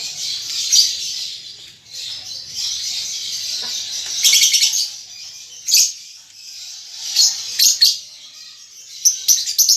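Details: Young lovebird learning ngetik and ngekek chatter, producing a continuous shrill, buzzy twitter punctuated by sharper squeaks and quick clusters of high ticking notes.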